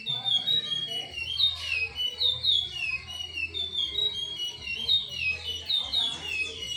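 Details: Chestnut-bellied seed finch (curió), Timbira song style; clear, high whistled phrases with fluty slurred notes repeated in varied rapid sequences, over a faint low hum.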